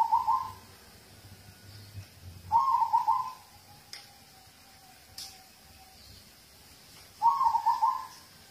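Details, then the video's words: Local zebra dove song, used to prompt other birds to sing: three stuttering, rolling coo phrases, each under a second long with several quick pulses, spaced about four and a half seconds apart over quiet background hiss. "Audio terapi perkutut lokal untuk pancingan"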